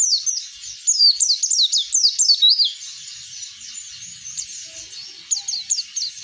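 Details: An Oriental white-eye in 'ngeplong' song, used as a lure to get other birds singing. A loud burst of twisting, whistled, high chirps comes first, then a softer thin chatter, and then a final brief, louder flurry.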